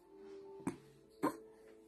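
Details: A pet hyacinth macaw playing with a child barks like a dog: two short, harsh barks about half a second apart, over steady background music.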